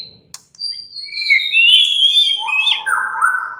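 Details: Relaxed song of a white-rumped shama kept as a caged songbird: long clear whistles gliding downward, ending in a lower buzzy warble.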